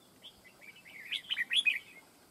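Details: Red-whiskered bulbul at a fight trap delivering a single rising, bubbling warbled phrase that swells to loud slurred notes near its end.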